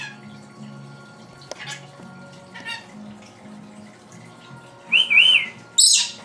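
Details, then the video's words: A female pet lory imitating household sounds made by her owner: a quiet room with faint clicks at first, then a looping double whistle and an abrupt screechy squawk near the end. "the talking Lory"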